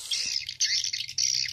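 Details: Swiftlet-house lure sound of edible-nest swiftlets in stereo: continuous high, rasping, chattering twitters in quick bursts, loud and dense, with a faint low hum underneath.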